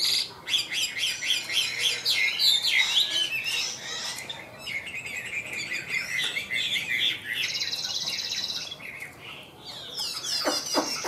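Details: Chinese hwamei, a caged Tam Hoàng bird, delivering rapid, dense high warbling phrases with a brief lull midway, then ending in harsh buzzy bursts.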